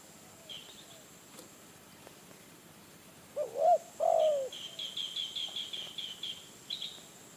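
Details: Spotted dove, a wild bird in Phrae province, Thailand, coming to a decoy, gives a wavering coo and a falling croon midway, followed by a run of thin high chirps from a smaller bird.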